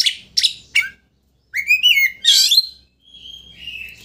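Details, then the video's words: Energetic Oriental magpie-robin song used to provoke a rival into opening its tail: three harsh chirps, a pause, then a rich, twisting whistled phrase with a scratchy burst, fading into soft high warbles. "Pancingan Kacer Gacor Untuk Memancing Emosi Lawan Agar Mau Buka Ekor"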